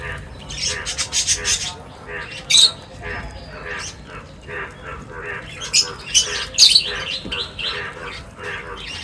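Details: Birds chirping while gathering for a meal at feeding time: bursts of sharp, high chirps and squawky notes in irregular clusters, with louder strident calls near the middle and end, and a faint low rumble beneath.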